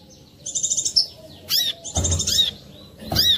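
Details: Brown-throated sunbird lure song, clear, used to get other sunbirds singing: a rapid buzzy high trill, a sliding whistle, then sharp arched chirps, with low knocks underneath.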